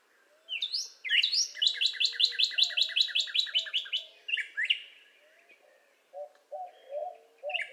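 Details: Northern Cardinal singing: a couple of rising slurred whistles open into a fast, even series of about fifteen sharp repeated notes, followed by scattered shorter notes; a lower, softer bird sounds steadily underneath.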